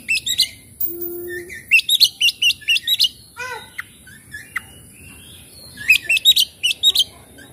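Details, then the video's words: Oriental magpie-robin singing, used to coax stressed birds that have stopped singing: rapid bright repeated chirps, a run of descending whistles midway, then another fast chirping burst, with a brief low tone early on. "cukup skali pancing kacer macet stres malas bunyi langsung gacor"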